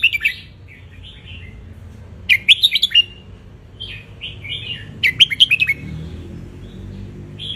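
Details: Wild red-whiskered bulbul of Ratchaburi sunning itself, song played to tutor young birds; rich bubbling phrases of quick chirped notes, two main bursts with softer whistled warbles between.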